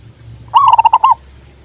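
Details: A single brisk phrase of about six clear, ringing coo notes from a local zebra dove, whose song serves as tutoring for local and Bangkok doves and boosts their arousal.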